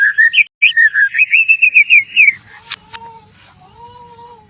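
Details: A white-rumped shama gives lure song to prompt other shamas to sing: rapid rolling whistled notes run together, a sharp click, then long clear level whistles.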